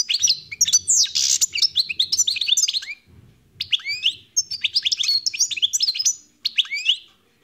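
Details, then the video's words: European goldfinch delivering two long phrases of rapid, bubbling twitters with harsh buzzy patches, a short pause between, ending in a few separate chirps; faint low rumble underneath. "تغريد طائر الحسون"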